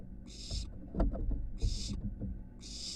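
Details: Barn owl nestling stepping out of its nest box onto a University of Florida building: three short, breathy screeching hisses separated by pauses, with a few loud knocks and scraping thuds from movement and a low hum.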